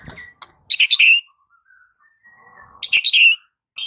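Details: Training song of a white-rumped shama meant to win over a silent bird: two loud bursts of fast, sharp chips and trills, with soft, thin whistles between them.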